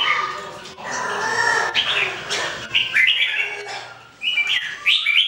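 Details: Three Red-whiskered Bulbuls (jambul) singing during everyday training, 2018. Loud, full warbling phrases open the recording, followed by a short pause and then rapid bouncy chirps rising in pitch.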